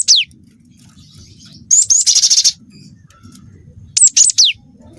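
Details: Cinereous tit with canary-filled song: high steeply falling whistles, a rapid buzzy trill in the middle, then another cluster of shrill descending notes, with faint low rumble behind.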